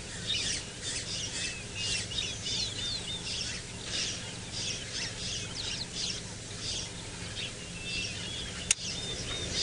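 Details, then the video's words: Several red-billed buffalo weavers calling in a tree at sunrise on 28 December 2017, Djuma, Sabi Sand, South Africa: dense, overlapping chatter of high, squeaky chirps over a low steady hum. "And we've got some wonderful red-billed buffalo weavers that are calling up in the tree there."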